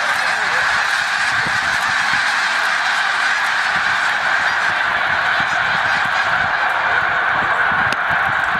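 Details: Distant massed snow geese during migration at Middle Creek, Pennsylvania: a smooth, unbroken roar of merged calls from a very large flock, steady throughout.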